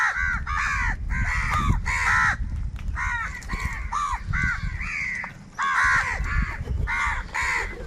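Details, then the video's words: Many crows fighting for food keep up a chorus of harsh, grating caws, calls tumbling one after another almost without break, over a low rumbling background. "kaka sound and noises of crow birds | Huge numbers of crows crowing and crying sounds"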